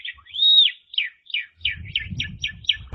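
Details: Asian pied starling masteran song: one arching whistled note rising and falling, followed by a string of about eight short descending chirps roughly every quarter second, with soft low rumble toward the end.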